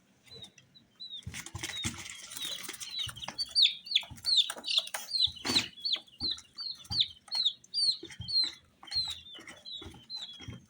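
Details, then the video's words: Colored chicks chirping: after a quiet start, clear high downslurred peeps repeat almost three times a second in a steady series, with occasional knocks and shuffling. "Chicks Chirping"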